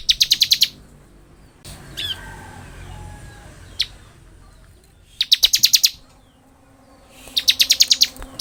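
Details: Ngebren song of a bar-winged prinia, kept as tutor and lure material: short rapid trains of sharp, high buzzy notes, about seven per burst, recurring every few seconds with faint scattered chips and a soft hiss between.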